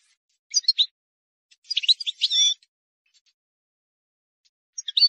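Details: Wild European goldfinch singing a flawless song used to tutor young goldfinches: short bursts of high, liquid twittering notes separated by silent gaps, with a longer trilled phrase in the middle and no other sounds.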